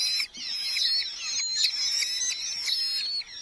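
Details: Red-footed falcon chicks in a nest box within a large Hungarian colony in July 2025, as parents deliver mostly beetles; thin, high whistled calls waver and overlap steadily throughout.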